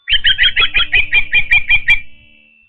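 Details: Osprey at a nest in Patuxent River Park during feeding: a quick run of about ten sharp, whistled chirps, evenly spaced and slightly descending, ending abruptly.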